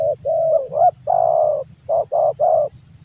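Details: Caged male spotted dove from Java delivering a rapid run of low coos, a long steady coo then three short even coos in quick succession, faint ticking noises underneath.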